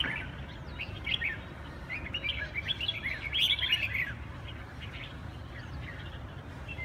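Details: Huế cánh red-whiskered bulbul with fast, scratchy chirping phrases clustered through the middle seconds, fading toward the end over persistent low background noise.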